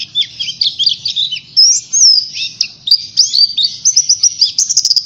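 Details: Lure song of a pleci or Oriental white-eye: high, busy twittering with a few longer clear whistles and then a fast series of short repeated chirps, over a soft low rumble.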